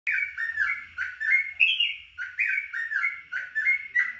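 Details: Yellow-vented bulbul starting into its fast, continuous ropel song: bubbly, slurred whistled phrases in quick succession, each a rolling chain of liquid notes, repeated almost without pause against a quiet background.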